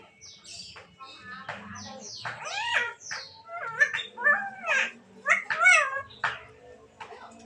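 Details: Black-naped oriole in lively song: loud, rich whistled and slurred notes in quick, varied phrases, many sweeping steeply downward, with a faint low hum beneath.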